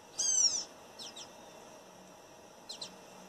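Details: Wild Campo troupial in a backyard in northeastern Brazil: one loud, harsh, slightly descending call with stacked overtones, followed by softer paired downslurred chirps later on.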